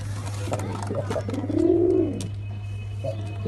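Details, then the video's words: Single drawn-out low coo from a black pigeon rising and falling, faint notes around it and a steady hum. "Pigeon sound effect (Ultra high quality) | Pigeon sound | Black pigeon"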